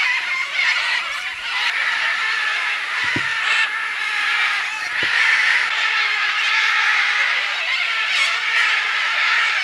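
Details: Many macaws gathered at a clay lick in the Manu jungle of Peru, 2008; a dense, continuous wash of harsh overlapping squawks, with a few sharp low knocks early on.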